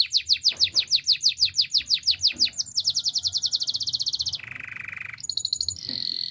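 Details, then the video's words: Yorkshire canary singing a training song: rapid, high, sweeping whistled trills repeated about three per second, then a fast buzzy rattle, a lower steady rolling trill, and bright high notes to close. "Yorkshire canary singing! The best canary training song"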